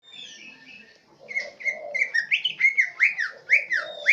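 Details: Green leafbird from Central Aceh singing a song filled with swiftlet imitations: a quiet opening, then a loud run of rapid, sliding whistled and chirped notes, rising and falling in quick succession.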